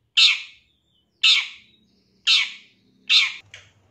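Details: Long-tailed shrike in a master training recording for captive birds: four harsh, rasping screeches about a second apart, ending in a short fainter note, with a low hum behind.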